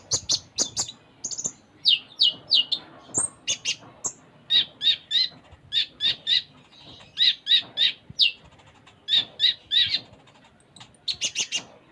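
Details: Vigorous full isian song of a konin, or Ruby-cheeked sunbird: quick high notes in tight groups of three or four, with short pauses, plus a few sharp ticks and thin whistles.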